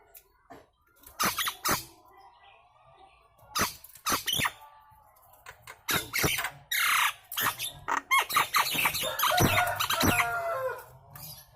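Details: Nias hill myna, loud lure song meant to get other birds answering and singing: harsh squawks, sharp clicks and broad sweeping whistles in irregular bursts, getting denser and more continuous toward the end.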